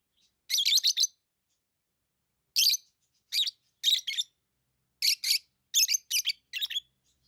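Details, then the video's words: Lovebird giving sharp, high, raspy chirps in tight clusters of two to four notes, spaced by pauses of about a second, in an otherwise quiet setting. "Love birds Sounds | lovebirds chirping sounds"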